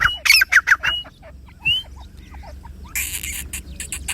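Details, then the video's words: Grey francolin with chicks: a burst of short whistled notes and harsh squawks in the first second, a single clear whistle near the middle, then a raspy noisy rush toward the end. "Dakni teetar gora teetar bacho k sath awaz"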